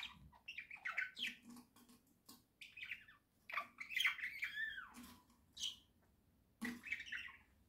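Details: Pet budgerigars indoors at home, a small flock, chattering in October 2024: dense run of squawky, scratchy notes and warbled chirps in bursts, with short pauses between phrases.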